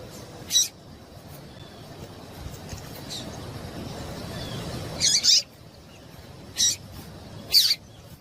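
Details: A female yellow-bellied seedeater calls repeatedly to get males singing: an isolated high chip, a long pause, then three more quick, piercing notes near the end, with soft background noise throughout.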